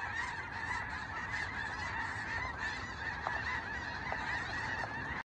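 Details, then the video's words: Snow geese flying overhead: a distant, continuous chorus of overlapping honks from the flock, steady throughout, under a constant background hiss. "Snow geese overhead"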